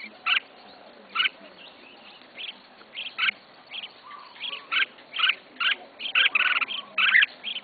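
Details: Red-whiskered bulbul owned by a novice keeper, singing a lively series of short chirped notes about once a second, growing denser and louder toward the end, with a low steady hum.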